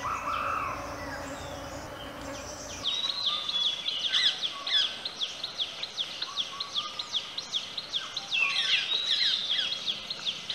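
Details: Male Indian paradise flycatcher (Terpsiphone paradisi) calling: quick, sharp, high notes, two or three a second, after a few seconds of muffled background noise.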